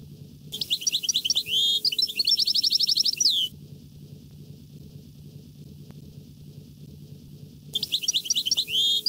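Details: European goldfinch delivering a rare, distinctive 'nahra' song phrase: a three-second burst of high twitters and rapid evenly spaced chips ending in a descending whistle, then quiet low hum until a second burst begins.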